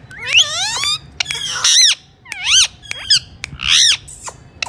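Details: Alexandrine parakeet giving loud harsh squawks and whistled calls with rising and falling arcs, in short bursts with brief pauses over a low steady hum.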